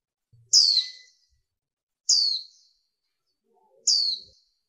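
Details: Warbling white-eye (Zosterops japonicus), female call: female call used to excite males into singing.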